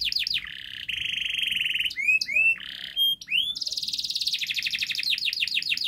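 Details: Canary singing a long, tightly packed song meant for teaching young birds to sing quickly: descending whistled slurs, a steady rolling trill, sharp upswept notes, then a fast, dense buzzy chatter.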